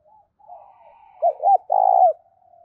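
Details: Spotted dove in urging, calling coo to rouse wild birds: a soft low murmur, then two quick arched notes and a long rough, vibrating coo that slides down at the end.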